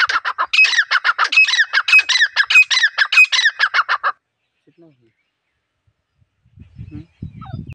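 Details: Wild female grey francolin calling, a sound used to lure birds for trapping: a fast series of harsh, squawking notes repeated for about four seconds, then silence with faint rustling at the end.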